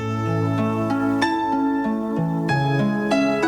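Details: Soft, sustained instrumental music with layered harmonic tones and gentle note changes; no animal sound is heard.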